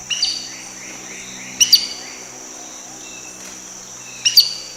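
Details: Collared aracari in Costa Rica giving its main vocalization, a very short, simple whistle: sharp doubled 'pi-tí' notes in three bursts over a few seconds, with faint soft chirps from another bird between them.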